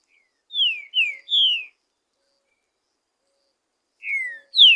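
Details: Wild green-winged saltator singing freely in the forest, recorded in Brazil: three loud downslurred whistles, then after a pause two more rich descending whistled notes, clean background.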